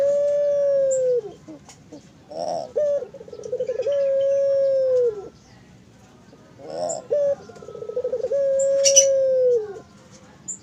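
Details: Spotted dove, captive at a bird farm, giving long sustained mournful coos, each drawn-out low note lasting about two seconds and ending with a brief drop, repeated several times with short rough breaths between phrases.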